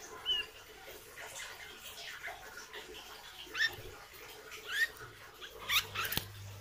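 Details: Hair-crested drongo in training as a kept songbird gives brief, sharp squeaks and rising chirps, four or five spread unevenly through the recording, against constant background hiss and a faint low hum near the end.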